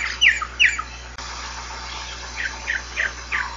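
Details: Giant cowbird (xexéu bico de osso, irauna de bico branco) singing. Sharp, squeaky, downslurred notes come in quick pairs, then softer repeated squawky notes follow after a pause, over a steady hiss and a low hum.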